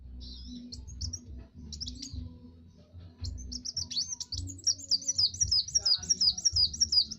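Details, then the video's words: Kowul, a master song for training other birds: high, thin chirps, then a rapid run of repeated sweeping notes, over a steady low hum. "Masteran Burung Kowul"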